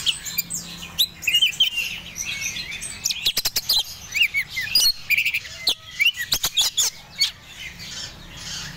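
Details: A male Oriental magpie-robin of the Medan type, in breeding condition, gives a rapid, varied song of clear rising whistles and harsher chattering notes, broken by sharp clicks.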